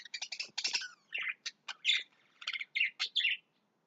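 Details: Lovebirds in their house, restless and trying to clear everything out of it: harsh, chattering chirps in short bursts with brief pauses between them.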